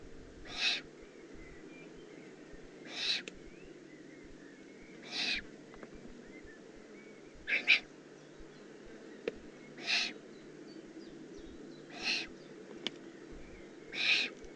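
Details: Juvenile Eurasian eagle-owl in the Eifel, recorded 18 June 2016, giving harsh, breathy hissing bursts, each under half a second, repeated about every two seconds, seven in all, over a steady low background hum.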